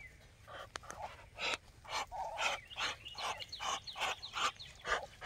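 Muscovy ducks give breathy, hissing huffs about twice a second, with thin rising peeps mixed in between the bursts.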